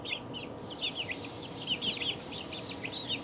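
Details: Chicks two weeks old give rapid, high peeps, each a short arched or falling whistle, several birds calling over one another in quick succession against a low background drone.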